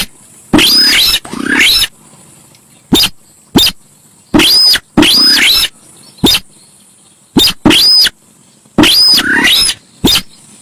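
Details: Javan pied starling in a noisy lure recording: loud grating phrases alternating with sharp ticks, several phrases topped by a ringing whistled note that rises then falls, repeated irregularly.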